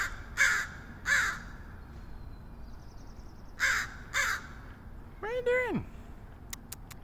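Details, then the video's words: Crow making strange noises in San Francisco, pairs of harsh caws with pauses between, a faint ticking rattle, a falling whine near the end and a few sharp clicks. "Strange crow noises"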